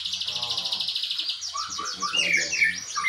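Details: White-rumped shama, a competition songbird, singing in a style imitating the bar-winged prinia: a fast run of sharp, high chirps repeated rapidly, then varied slurred whistles rising and falling, with a low hum beneath.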